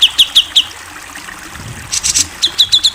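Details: Grey-cheeked bulbul (cucak jenggot), a national champion bird, singing on a masteran tutoring track: four sharp high downslurred notes, a brief hiss, then another fast run of bright repeated notes.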